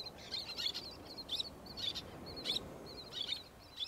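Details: Roseate tern, recorded 27 August 2022: grating, high calls repeated irregularly about every half second, some notes doubled, against constant low rumbling background noise.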